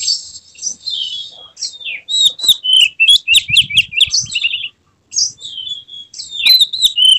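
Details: An Oriental magpie-robin in emotional display with tail open, singing its full set of fills: sweet whistles, sharp clicks and quick rolling warbles in dense phrases, broken by one brief silence.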